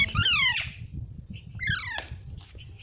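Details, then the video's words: Two harsh, descending squawks from baby parrots, separated by a pause with faint soft chirps and low background rumble. "Baby Parrots Sounds"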